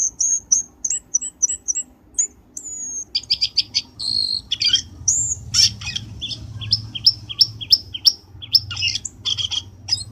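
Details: Trapping lure of a black-winged starling: evenly spaced high chirps, a long thin whistle, then a flurry of harsh clicks and rising squeaky notes over a faint low hum.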